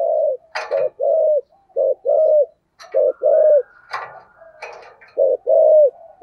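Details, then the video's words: Spotted dove in giọng thổ song, low mellow coos in short-long pairs separated by pauses. They are interrupted by loud clacking bursts and a faint humming tone. "cu gay giong tho cuc dinh/ chim cu gáy giọng thổ"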